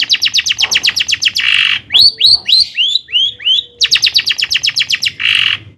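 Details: A long-tailed shrike in forceful song, used to provoke shrikes into singing. Quick rows of sharp ticking notes alternate with buzzy bursts and a series of swooping, down-slurred squeaks, then a fast ticking series again.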